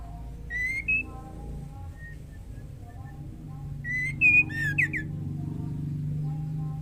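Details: In breeding condition, a female white-rumped shama calls the male with a pair of bright rising whistles and a faint later note. A quick burst of several sharp, slurred whistles follows, over a continuous low background hum.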